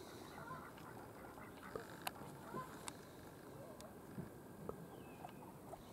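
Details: A few domestic ducks at Hendre Lake, St Mellons, give scattered nasal quacks over a steady, rumbling background.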